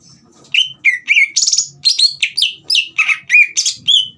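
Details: Green leafbird in full, constant song, used to provoke a young bird into singing: loud, rapid run of bright chirped notes, many sharply down-slurred whistles and buzzy trills, delivered almost without pause after a quiet start.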